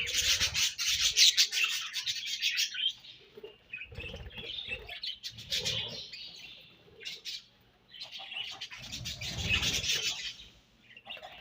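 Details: Several budgerigars eating their favourite food, keeping up rapid, scratchy warbling chirps in two long loud spells, mixed with soft pecking and rustling.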